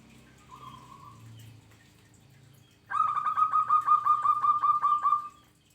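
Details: A brief soft trill, then after a pause a local zebra dove bursts into a quick run of level, rippling coo notes, about fourteen in a row, over a quiet low background hum.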